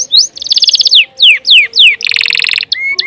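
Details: Canary in continuous gacor song, alternating rapid high pulsed trills with a run of clear descending slurred whistles, ending in short flat whistled notes.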